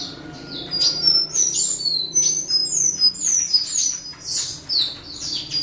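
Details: A territorial western citril delivering a rapid, high-pitched twittering song. Short bright whistles and downward-slurred chips come tumbling one after another without pause throughout.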